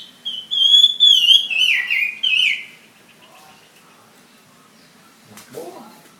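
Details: Chinese hwamei, a fighting bird from Ha Giang, sings a few bright descending whistled phrases for about two seconds, followed by quiet and a brief noisy knock.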